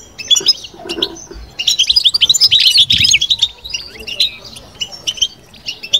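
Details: European goldfinch, a kept bird, babbling in the bitbita style: a few opening chirps, then a fast rattling burst of high twittering notes, easing into scattered calls.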